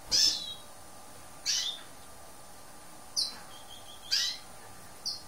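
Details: Lesser goldfinch of the green-backed form hesperophila repeating bright, high chipping notes roughly once a second, each short and sharp, with a thin whistle between two of them.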